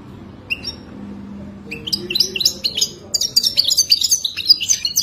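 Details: Moroccan goldfinch, wadani song style: a few isolated high chips open, then the bird launches into an unbroken, accelerating stream of sharp, sparkling twitters and trills that grows steadily louder.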